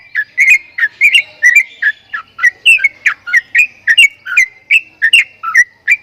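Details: Jalak kebo, the Javan myna, with strange sounds: crisp chattering whistles, each note short and slightly rising or falling, delivered in a brisk, even rhythm of about two notes per second.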